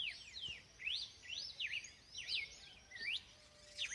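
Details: Red-cowled cardinal giving loud whistled phrases, each note a sharp upward or downward slur, about one per half second, separated by short gaps, against soft background hiss.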